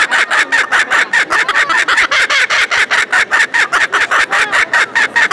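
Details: Laughing kookaburra shown at a poultry and farmyard exhibition in Beauvais, Oise, France, May 2019; loud, rapid, evenly pulsed cackling notes, about two and a half per second, sustained throughout in an indoor hall.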